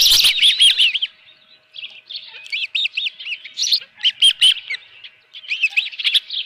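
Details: Ospreys at the nest with a live fish, early morning on 24 June 2018: rapid series of high, piping chirps in clustered bursts, pausing and resuming, with scattered clattering knocks from the nest.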